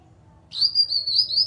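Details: Lure call of a grey-cheeked bulbul, meant to coax silent kinoi in a group to respond: after a quiet start, a sharp high whistle rises in and runs on level, pulsing slightly in loudness, above faint low background rumble.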